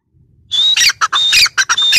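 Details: Female grey francolin (teetar) calling: after a short quiet start, loud harsh squawking notes come in rapid bursts, some carrying a thin steady whistle-like tone, with brief gaps between notes.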